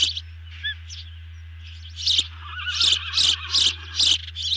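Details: Ospreys feeding at the nest on a June 2020 evening, nest camera. A few scattered soft chirps, then a fast run of loud, piercing calls in the second half, over a low hum.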